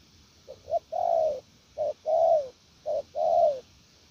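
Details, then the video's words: Spotted dove kept as a decoy, performing the 'gù lèo' cooing style: soft introductory notes, then three rhythmic short-long coo pairs with mellow, slightly downslurred long notes. "Bổi Víp, Siêu gù lèo nước chơi quá là hay luôn."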